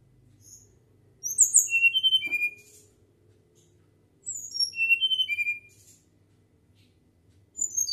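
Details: Flycatcher giving a natural flute-like whistling song: two bursts of very high, clear whistled notes, each phrase sliding downward in steps over about a second, separated by silent pauses, over a faint low hum.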